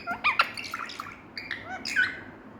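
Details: Pet green parrot giving a string of short bright chirps and squawks, sharp rising notes in quick bursts, then a few fainter whistled calls, over a low steady background hum.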